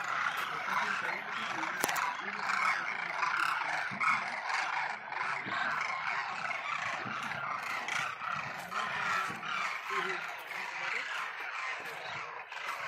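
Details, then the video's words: A large flock of migratory Demoiselle cranes at Khichan, Phalodi, Jodhpur, India: a dense, continuous chorus of rolling, trumpeting calls with overlapping voices and a faint murmur of people beneath. "कुरजां प्रवासी पक्षी Demoiselle crane (कुरजां) Birds"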